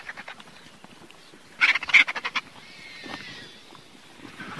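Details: A griffon vulture (Gyps fulvus) gives a short burst of harsh, rasping cackles, about six rapid pulses in under a second, among quieter scratchy background noise.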